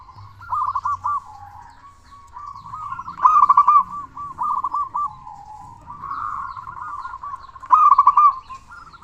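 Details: Local zebra dove with a big voice, played to stimulate quiet doves to call: repeated phrases of quick bubbling coos, loud ones every few seconds, linked by softer rolling trills.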